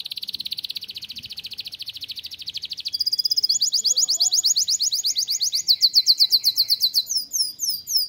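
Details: Canary singing in a breeding room to liven up its chicks: long fast trills of tiny repeated notes, shifting upward in pitch and speed, ending in looping slurred syllables.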